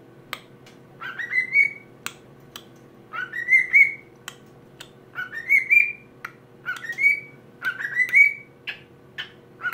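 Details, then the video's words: Pet cockatiel singing to a plush toy, whistling the Addams Family tune: clear whistled phrases rising and ending in a sustained note, repeated about every two seconds, with faint clicks between phrases. "Addams Family Cockatiel Cover"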